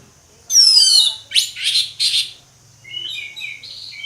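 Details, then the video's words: Orange-headed thrush song in the ngeplong style: a loud descending whistled sweep, then three harsh buzzy bursts, followed by softer warbled phrases; a faint steady hum runs underneath. "ANIS MERAH NGEPLONG, SUARA ANIS MERAH NGEPLONG"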